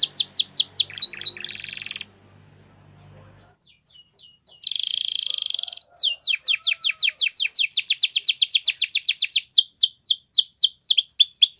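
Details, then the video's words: A Gloster canary sings quick repeated notes, pauses amid faint low background hum, then gives a buzzy trill followed by a long rapid series of sharp swept whistles. "Gloster Canary Singing !! Canary Bird Song"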